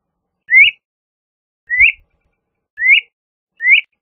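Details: LeConte's thrasher giving four clear rising whistled upslurs, each about a quarter second long, spaced roughly one second apart, on a silent background.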